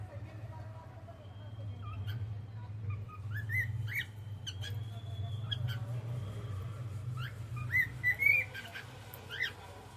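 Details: Cockatiel singing in the evening, a mix of whistled slides, sharp chirps and short squawky notes scattered through the clip, the busiest burst near the end, with a constant low background hum.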